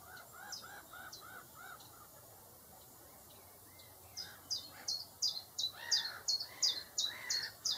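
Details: Common chiffchaff song, loud, rapid, evenly spaced high notes repeated roughly three times a second in the second half, after lower, harsher calls from another bird at the start.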